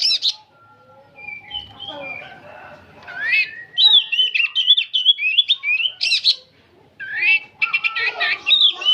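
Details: An aged oriental magpie-robin giving nonstop nyerecet chatter song: loud rising whistles and wavering slurred phrases broken by brief quiet spells, then dense scratchy trills; a faint low hum underneath.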